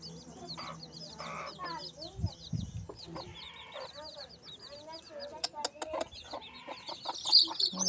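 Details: Native desi hen tending her chicks during the rainy season; repeated high chick cheeps over low clucking, with sharp clicks and knocks and a brief human voice in the background.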